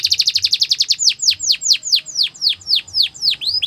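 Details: Canary singing for training: quick chipping notes about eight per second slow into a run of loud downward-swooping whistles, roughly three per second.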